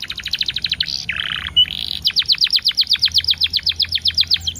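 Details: Lure track of canary song with ten-second pauses to get canaries singing: a rapid trill, a grating lower buzz, then a long, regular series of crisp high notes at roughly four per second.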